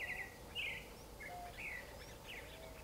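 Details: Creamy-bellied thrush song: brief chirpy, trilled phrases in quick succession, quiet against a constant hiss of ambient noise.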